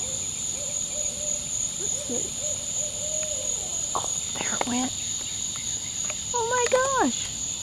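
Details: An owl perched just overhead, near a turtle laying and burying her eggs, gives low, wavering hoots ending in a harmonic-rich call that drops sharply in pitch, over steady high cricket trills and brief murmured speech.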